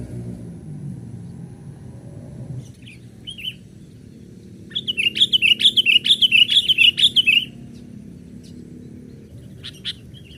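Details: Young sooty-headed bulbul call used as a lure for wild birds: a fast run of bubbly, warbling notes around three seconds long, preceded by a short chirp, with a low hum in the background.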